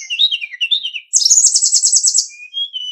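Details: Master training recording of a hill blue flycatcher for captive songbirds. Wavering high whistles lead into a fast, buzzy trill of rapid repeated notes, then soft thin whistles. No other sounds.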